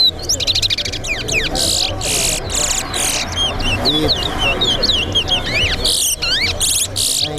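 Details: Competition singing of a towa-towa, or seed finch, at a Betterhope bird race: a long run of buzzy rattles, sliding whistles and quick chirped twists, with people talking and low rumble throughout.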